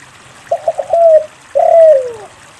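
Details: Spotted dove song as a lure for non-singing doves. Three clipped notes and a steady coo are answered by a long, drawn coo that bends downward.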